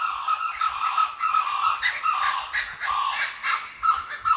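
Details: Wild laughing kookaburra at Jim Jim Falls in Australia's Kakadu National Park: a loud, continuous run of raucous, chuckling hoots at full intensity, barely pausing.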